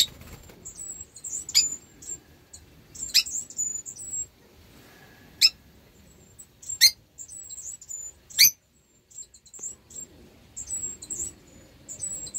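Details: Rosy-faced lovebirds (Agapornis roseicollis), a pair and four 8-week-old young, in 2024: several birds chatter at once in thin, very high chirps, broken by sharp shrill shrieks every second or two.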